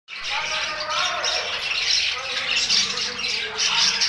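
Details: Budgerigars in a group, chirping together: a dense, continuous wash of overlapping high, scratchy chirps and squawks with no pauses and no other sounds.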